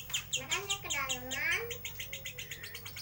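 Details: Lovebird from bird-shop stock chattering in ngeriwik style, giving quick high metallic chirps in a steady stream while a lower wavering tone swoops down and back up beneath them.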